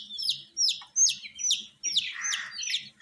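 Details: Baby chicken chicks, coloured and raised indoors with heat, give clear, loud, high peeps that slide downward, spaced roughly every third of a second, the later ones rougher and fuller.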